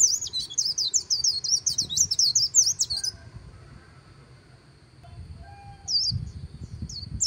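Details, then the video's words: White-eye singing in the líu style beside the Kỳ Cùng river: about three seconds of rapid, high, squeaky twittered notes strung together, then near silence with a few scattered high chips and faint low background rumble. "VÀNH KHUYÊN HÓT LÍU/ 10 PHÚT CHIM VÀNH KHUYÊN LÍU BÊN BỜ SÔNG KỲ CÙNG RẤT HAY"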